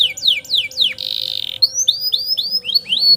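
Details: Canary performing a long roll used as master song for tutoring young canaries; falling whistled notes, a buzzy trill near the middle, then repeated rising whistles, about four per second.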